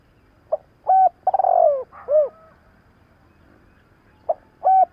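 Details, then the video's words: Spotted dove decoy calling to stir wild doves during training. One full phrase of clipped note, level coo, stuttering downward trill and arched hoot, then after a pause a short note and level coo start again over faint low hum. "Cu gáy thúc gáy kích bổi tập mồi cực nhạy P107-2021| Tiếng chim cu gáy kích bổi nhanh nổi"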